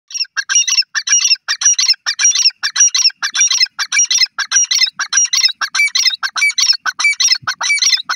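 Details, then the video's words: Grey francolin (teetar) calling: loud, harsh squawking notes in rapid repeated bursts, about 100 per minute, rhythmic and continuous through the recording, with no other clear sounds. "francolins calling amazing birds titur ki awaz teetar voice"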